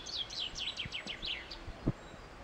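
A common chaffinch sings a quick run of bright, down-slurred notes, about six a second, stepping lower through the phrase. A few soft low knocks are also heard.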